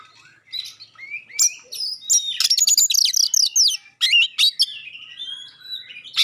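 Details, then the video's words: Magpie-robin producing sharp 'tembakan' bursts and clear song to trigger replies from other magpie-robins; rising whistles build into a rapid, dense volley of short high notes, then slower slurred whistles and a long drawn tone. "suara tembakan tajam juga suara jernih bikin kacer lain langsung respon ngobra"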